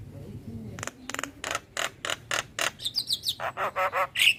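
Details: Male Javan myna calling to its companions, used as a lure: evenly spaced grating, buzzy notes that grow louder and faster, with a few thin whistled squeaks near the end.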